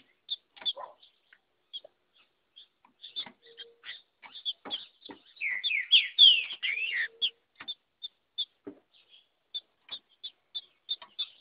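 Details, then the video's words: Wild female green-winged saltator in the bush giving male-style song: scattered sharp ticks and clicks throughout, broken midway by one loud burst of sweet, slurred whistles, each rising then falling, before the ticking resumes. "femea de trinca ferro macheando ao vivo no mato!!!"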